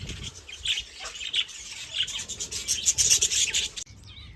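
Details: Loud, dense chirping from many birds: very high, scratchy tweets crowd together and grow busier, then cut off abruptly near the end.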